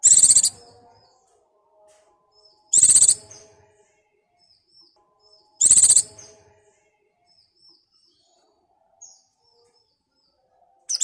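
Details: White-eye in breeding condition calling for a mate: short, bright, high bursts about every three seconds, with soft faint chirps and lower tones in between.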